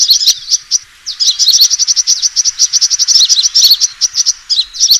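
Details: A sunbird's high, piercing fighting chirps, used as a trapping lure, run in fast, almost unbroken strings of sharp ticks with a short pause near the start.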